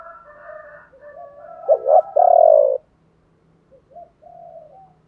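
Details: Spotted dove coo in the chiêu ba hậu style, used to stimulate other doves to sing: soft low cooing, then two quick hollow notes and a long rolling coo, followed by faint, quieter coos.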